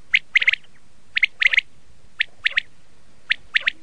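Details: Common quail of a red-shade variety giving crisp three-note calls, each group of three quick sharp pips repeated roughly every second, clear over a quiet hiss.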